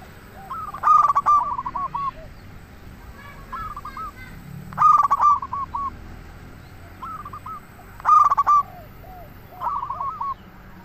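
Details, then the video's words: Lure song of a local zebra dove meant to provoke replies from other doves: three loud stuttering coo phrases roughly every three and a half seconds, with quieter cooing series from other doves in between. "Perkutut Lokal Gacor RAJA PIKAT Ahlinya Bikin Semua Burung Perkutut Langsung Nyaut"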